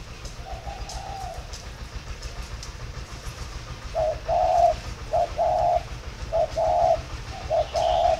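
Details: Three-note coo of a spotted dove, a thổ pha style singer with a very warm tone, kept at a bird farm in Ba Vì, Vietnam. A soft first phrase, a pause, then several mellow coo phrases over a low hum.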